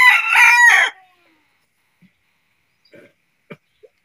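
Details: Rooster crowing during the day: a loud, harmonic-rich crow in two linked bursts lasting about one second, followed by near silence broken only by a few faint clicks and knocks.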